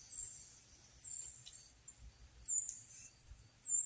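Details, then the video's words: Tufted titmouse at Turkey Mountain, New Jersey, in 2023, giving very high, thin, slurred notes repeated roughly once a second, over a faint low rumble of wind. "Tufted Titmouse call"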